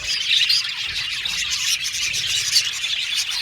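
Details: Many budgies chirp together in an aviary, a steady bright twitter punctuated by a few clear whistled squeaks.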